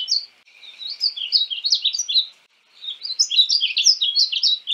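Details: North American painted bunting singing two fast warbling phrases of jumbled high sweet notes separated by a short gap.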